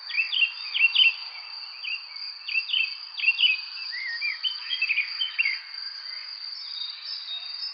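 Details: Birds chirping on a spring evening: short, bright, downslurred chirps in quick clusters, loudest in the first half, over a steady high insect-like drone that runs throughout.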